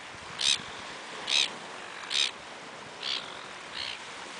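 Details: Quarrelsome, territorial gulls in Australia in June 2011, giving short, sharp, high squawks repeated about once a second, five in a row, over a steady hiss of surf.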